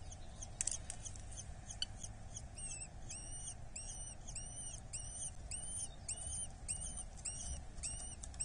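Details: Eurasian hobby chick fed at its nest in Dorset, 8 July 2024: a few clicks and scattered sounds, then a regular string of high, arched squeals roughly twice a second over low rumbling noise.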